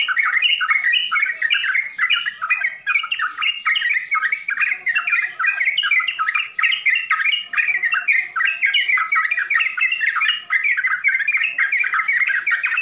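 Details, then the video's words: Full-isian song of a yellow-vented bulbul (trucukan): an unbroken, very dense stream of rapid chattering, bubbling notes that run continuously for the whole stretch. "SUARA TRUCUKAN FULL ISIAN"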